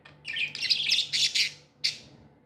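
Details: Pet budgies, described as happy, give a dense run of high, scratchy chirps and squeaks, then a short pause and one sharp final chirp over a faint low hum.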